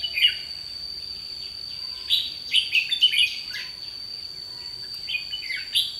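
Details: Decoy red-whiskered bulbul used in trapping on 30 May 2016, singing a challenge: short bright warbled phrases, rising and falling, in bursts with brief pauses, over a steady high insect-like whine.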